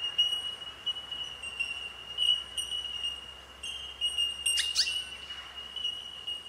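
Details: Bell miner (Australian bellbird) chorus of high, ringing bell-like tinks blurring into one sustained tone, with a few brief downward-sweeping notes from another bird midway; recorded at lunch with bowerbirds nearby.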